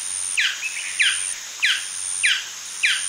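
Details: Male golden dove giving MCU yapping calls: a series of short, sharp, downward-slurred yaps repeated about every 0.6 seconds, with a steady high-pitched hiss in the background.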